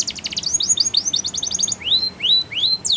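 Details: Spanish Timbrado canary in training song, starting with a fast trill, then repeated slurred notes and slower rising whistles about every half second.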